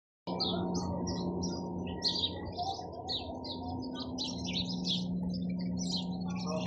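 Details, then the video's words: Sparrows chirping in a dense, continuous chatter of short, high, overlapping chirps throughout, over a steady low electrical hum. "চড়ুই পাখির কিচিরমিচির শব্দ Chirping sound of sparrows"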